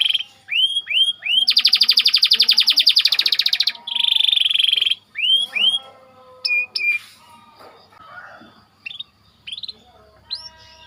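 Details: White canary singing tight rolls, recorded as a training song for other canaries: clear rising-falling whistled sweeps, a long fast buzzy roll of about two seconds, a steady whistled note, then more scattered sweeps and chirps.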